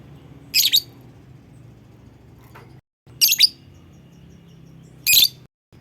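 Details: Lovebird call used as a lure so other lovebirds join in singing: three short, harsh, high double-chirp bursts about two and a half seconds apart over a low background hum.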